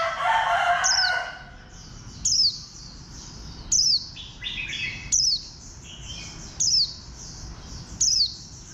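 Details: Warbling white-eye (Zosterops japonicus) song, a caged bird: a brief lower jumbled warble, then very high, thin, down-slurred notes repeated about every second and a half.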